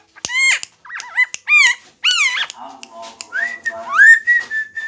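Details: Lombok-type helmeted friarbird singing actively while held in the hand: looping, strongly harmonic whistled notes and rapid warbling phrases, followed by drawn-out rising tones and a level whistled note at the end.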